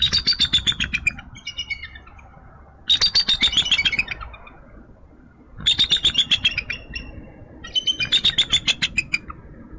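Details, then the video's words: Bald eagle pair at a Minnesota nest on a frosty March morning at 7:22am, the male relieving the incubating female as both greet the day; bursts of rapid high chattering, piping notes in four groups roughly every three seconds. "MNBound Eagles Morning Greetings"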